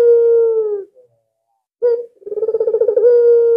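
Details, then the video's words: Steady drawn-out coo from an albino ringneck dove valued as a lure for other doves, followed after a silence by a sharp note and a rapidly pulsing purr that flattens into a smooth tone. "BURUNG PUTER ALBINO SANGAT GACOR cocok dijadikan pancingan"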